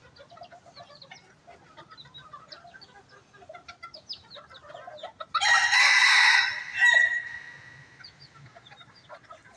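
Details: Bantam chickens flocking in at feeding time at a workshop in Bandung, Indonesia: quiet scattered clucking, then a loud, harsh rooster crow lasting about two seconds that breaks off and trails into a final burst, followed by more soft clucks.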